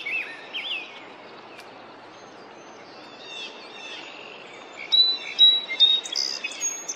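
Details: Rose-breasted grosbeak (Pheucticus ludovicianus) singing in spring in Norfolk County, Massachusetts: rich, sweet warbled phrases, faint at first and louder in the last two seconds, over a steady background hiss.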